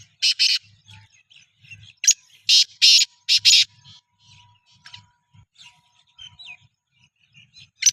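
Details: Black francolin readied for chakri calling: two harsh grating bursts, then a tight run of three loud rasps, followed by scattered faint chirps and a final burst, with music in the background.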